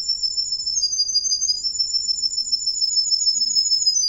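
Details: Male Russian wild green canary delivering a continuous high rolling trill, fast and even, with a slight wavering pitch held for the full four seconds, loud and unbroken.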